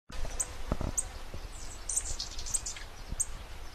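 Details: Sword-billed hummingbird (Ensifera ensifera), call.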